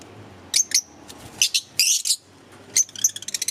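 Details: Green Fischer's lovebirds chirping: sharp, very high squeaky chirps in short irregular clusters, ending with a quick run of rapid ticking notes.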